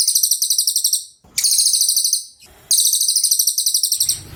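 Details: Cililin pouring out piercing high-pitched song in extended trills of rapid, evenly repeated notes, three long runs separated by brief breaks with soft noise.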